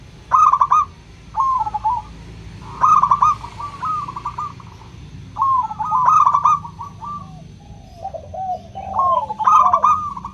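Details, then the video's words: Local crystal-voiced zebra dove used to coax silent doves into song. Repeated phrases of bright, rapid staccato coos recur every one to two seconds, with a fainter second dove cooing lower in between. "Pancingan PERKUTUT LOKAL suara KRISTAL, untuk memancing perkutut susah bunyi"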